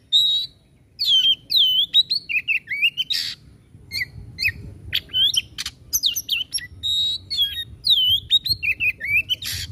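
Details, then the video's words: Fast, energetic white-rumped shama song of rich whistled phrases with downward and upward slides, interleaved with harsh rasping bursts and short pauses, repeated across the whole stretch. "Suara Tembakan kacer Gacor"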